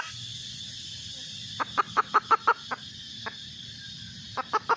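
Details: Hen red junglefowl giving a mating call: a quick burst of about eight clipped clucks, a single cluck after a gap, then three more. Steady low hum and hiss fill the background.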